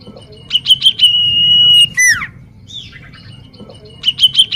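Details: Common iora singing energetically for use as a lure: clipped chips running into a sustained flat whistle, a steeply dropping sweep, softer slurred notes, then the chip series starting again.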